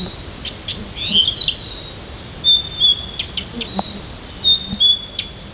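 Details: Near Tomsk at dawn, a Siberian bird sings varied verses: bright high whistles sliding downward, interspersed with crisp clicks and ticks, phrases following one another every couple of seconds.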